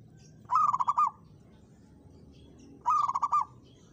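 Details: Local zebra dove in full song, challenging a rival with two loud bursts of rapid pulsed coos, about two seconds apart, over quiet low background noise.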